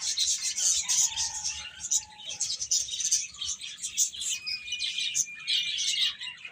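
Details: Chicks eating and playing give a continuous stream of shrill, overlapping peeps, with a short lower whistled tone early on and a thin rising note near the end.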